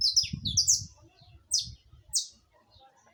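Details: A quick burst of several high slurred chips from a saffron finch, then two more spaced notes, with faint low background noise.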